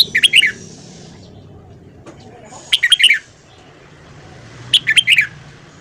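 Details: Voice-training recording of red-whiskered bulbul morning song: three punchy phrases of four or five bright, slurred notes, spaced about two seconds apart against a quiet background.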